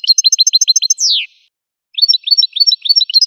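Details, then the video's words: Goldfinch singing: a quick run of bright, repeated two-part chirps, then a single downward-sweeping squeal, a short pause, and another fast series of high chirped notes. Clean recording with no other sounds. "Golden-feathered Goldfinch singing show"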